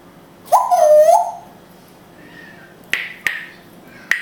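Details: Hebrew-speaking African grey parrot, kept as a pet in Israel, gives a loud nasal harmonic call lasting under a second, followed by a faint murmur and several sharp clicking taps.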